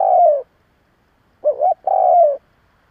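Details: Spotted dove used as a decoy to provoke other doves. A long, falling, hoarse coo ends, then a phrase of two short bouncing notes leads into a drawn-out descending croo. The background is quiet.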